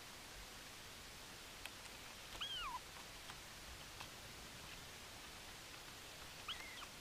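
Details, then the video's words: Bermuda petrel on Nonsuch Island, recorded 13 April 2020, gives one clear arched, wavering moan that rises and then drops away, followed by a fainter short call near the end, against constant background hiss. "Petrel bermudzki 1 Nonsuch 13 04 2020 2"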